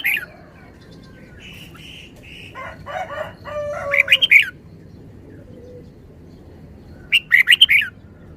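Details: Red-whiskered bulbul repeating a short, bouncy phrase of quick chirping notes twice, several seconds apart, with lower squeaky bird notes between them and a soft hum behind.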